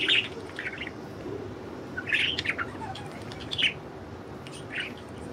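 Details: Several pet budgerigars out of their cage and flying free, giving short bright chirps in loose bursts at uneven gaps, with a steady low hum underneath.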